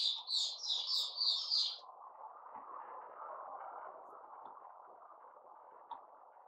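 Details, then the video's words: Singing white-rumped shama, 29 August 2021, giving a rapid series of loud, bright whistled notes for under two seconds, each note repeated in quick succession, then silence apart from a steady low electrical hum. "Puteh Raja Sing Buka"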